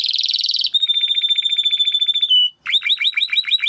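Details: Timbrado canary training song. A loud buzzy roll shifts into a fast, even pulsed trill. After a short pause come quick upward-sweeping notes, repeated several times per second.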